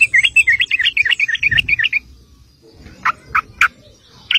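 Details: Sooty-headed bulbul lure song: a fast string of bubbly warbled notes, a pause, then single spaced chirps.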